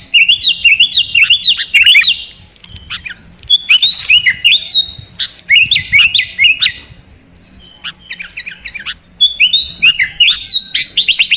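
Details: Sooty-headed bulbul singing in rolling bubbly phrases separated by short pauses, repeated about five times; a recording intended to make a reluctant bird sing constantly and boldly.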